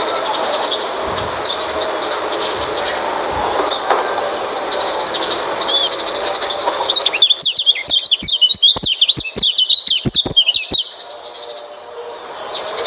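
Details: Oriental white-eye song used to coax a silent white-eye into singing. A loud, continuous hiss comes first, then a quick run of high, bright twittering notes with clicks for about three and a half seconds before the hiss returns.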